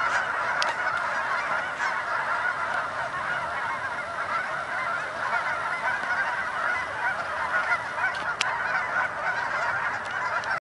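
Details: Canada geese massed in Denver, Colorado, honking together without pause: countless overlapping harsh honks blend into a steady, roaring wall of sound.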